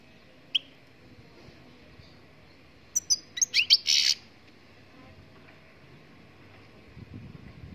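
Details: Singing goldfinch from Morocco: one isolated high chirp, a pause, then a quick burst of rapid, tumbling twittered notes lasting about a second, ending in a dense buzzy flourish. Otherwise quiet, with faint low rustling near the end.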